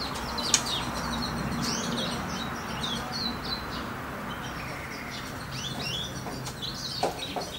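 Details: Two-month-old goldfinch hybrid singing its mid tone: thin, high twittering phrases and short upslurred notes, scattered and uneven, over a steady broadband hiss with an occasional louder click.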